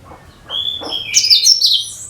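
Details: A cucak kinoi, used to draw in other birds, gives soft low chirps and then a rising run of bright, high, twittering notes that hold to the end.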